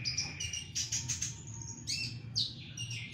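A long-tailed shrike gives harsh, scratchy chirps in quick bursts, high-pitched and chattering, over a low steady hum of background noise.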